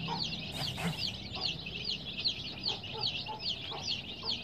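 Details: Baby chicks give high, downslurred peeps about once every third of a second, many birds overlapping over low background noise and a brief rustle.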